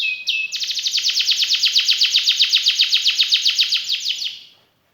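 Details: Canary in full song with elaborate phrasing. A brief whistled note leads into a long, very even, rapid trill of bright sweeping notes lasting about four seconds before fading out.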